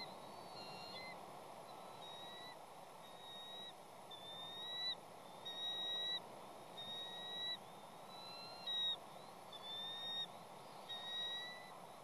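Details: Calling female bald eagle at her nest on Catalina Island, with two eaglets waiting for the male to deliver a fish. Series of thin, piping whistles, rising slightly and spaced irregularly, some in quick chattering bursts, over broadband hiss.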